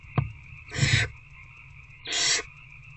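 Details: Barn owls at a nest box after dark on 19 February 2024, an adult feeding an older owlet a rat; a sharp click, then two rough, wheezy screeches about a second apart, steady background hum throughout.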